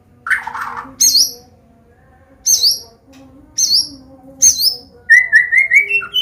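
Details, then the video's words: White-rumped shama of the Medan type, combination song for teaching young birds to sing: high, clear, downslurred whistles repeated at intervals of about a second, ending in a quick series of rising notes. "SUARA KOMBINASI MURAI BATU"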